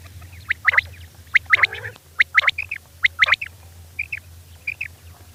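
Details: Female quail calling at night, a series of short sharp notes given in quick clusters of two to four, then softer single notes near the end, over a steady low hum.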